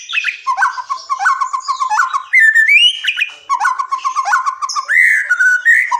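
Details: Wild forest white-rumped shama singing, used to draw song from mute or young birds: bubbling repeated notes, then long clear rising whistles and fluty slurs mixed with fast high twitters.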